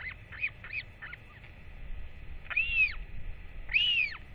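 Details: Northern royal albatross chick being fed by both parents after a ranger's weight check, 8.10.24, calling excitedly as a parent arrives; a few short notes, then two drawn-out arched wheeing calls with rising-falling pitch.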